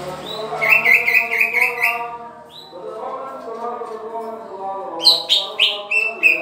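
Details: Green leafbird being paired in captivity, pouring out a rapid run of bright repeated notes for about two seconds, then a pause and another burst of higher, sliding chirps, over a low steady drone.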